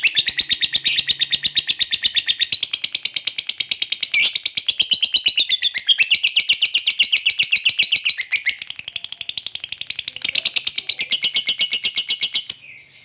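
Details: Extended ngekek chatter of a lovebird calling to companions: a rapid, scratchy stream of repeated notes that runs steadily for about twelve seconds, then stops abruptly.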